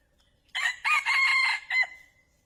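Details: Male wild junglefowl crowing, a recording used to lure birds for trapping: a loud, hoarse crow in three parts, with a short opening note, a long sustained harsh middle and a brief clipped ending, over a quiet background.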